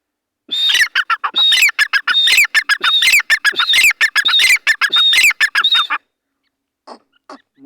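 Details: Grey francolin roaming free in the wild forest during the breeding season, giving a fast run of harsh, squawky notes, each with a clear whistled element, in rapid repeated phrases for about five seconds, then a short pause and faint notes.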